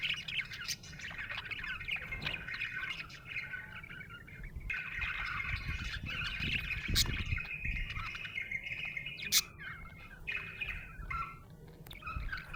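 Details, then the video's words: A happy budgie's soft twittering warble runs on with a few sharp, isolated clicks, partly masked by a low rumbling background noise. "Happy budgie chirping sound"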